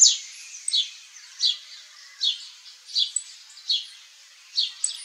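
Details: Saffron finch giving high, clipped chirps repeated roughly every half second to second, each a quick downward slur, steady and sparse against a faint hiss.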